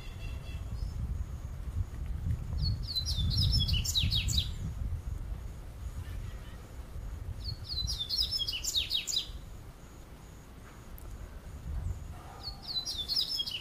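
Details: Double-collared seedeater singing through a summer afternoon in São Paulo state, Brazil: bright, high twittering phrases of rapid descending notes, each about two seconds, repeated roughly every five seconds, over low rumbling background noise.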